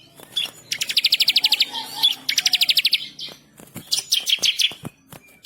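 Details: Bar-winged prinia song, described as a lively tutor recording with rolling and sharp bursts: fast, even trains of high, dry ticking notes in two runs, then a looser series of higher, shriller chips.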